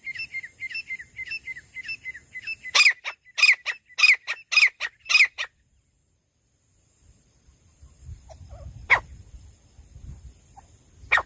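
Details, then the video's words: Francolin calling in bush country, in a recording linked to hunting: a quick series of short, repeated high chirps, then six loud, harsh strokes in steady rhythm, followed by quiet with a few isolated sharp notes and low rumble. "झाड़ी में रहने वालों तीतर शिकार करने की साउंड। Sounds of bush dwellers hunting pheasants. Francolin"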